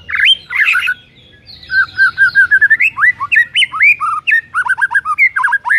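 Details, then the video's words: White-rumped shama singing in the morning to provoke a rival: harsh chattering notes open, then a steady string of short even whistles followed by fast twisting, rising and falling whistled phrases. "5 DETIK DI PAGI HARI SIAP BIKIN MURAI LAWAN AUTO NARUNG & GACOR SEKETIKA"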